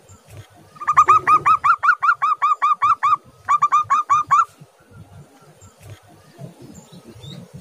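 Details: Local zebra dove in a loud, lively song: rapid series of hooked staccato coo notes, about two to three per second, in two bursts with a short break. A low rumbling murmur continues underneath.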